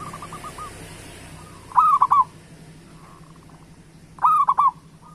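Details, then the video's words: Zebra dove of local Indonesian stock singing often, used to stimulate other doves: two loud rolling coo phrases about two and a half seconds apart, each a short mellow note followed by quick stuttering beats; soft coos fill the gaps, with steady low hum. "Perkutut Lokal Gacor Suara Pancingan Burung Perkutut Paling Cepat Bunyi"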